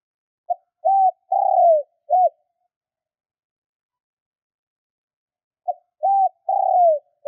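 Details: Spotted dove (cu gáy) call for stirring wild birds, given twice about five seconds apart. Each phrase is a short note, a level coo, a long falling coo and a final short coo, in quiet surroundings.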